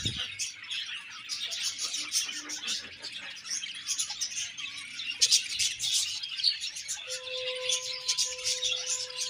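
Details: Budgerigars of a happy colony chirping in a dense, high twittering chorus; near the end a steady, held whistled tone sounds beneath the chatter.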